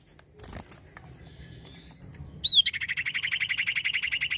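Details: Common iora (cipoh) in lively full song: after a quiet start, one sharp, high whistled downslur, then a fast, even trill of buzzy repeated notes, about ten per second, running to the end.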